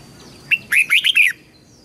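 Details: Red-whiskered bulbul song used to help young birds learn: one clear phrase of five lilting whistled notes, rising and falling, under a second long.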